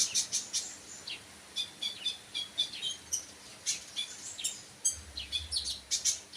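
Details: Sunbird giving irregular, rapid, high-pitched chirps and ticks throughout, some in tight pairs, against faint low background rumble.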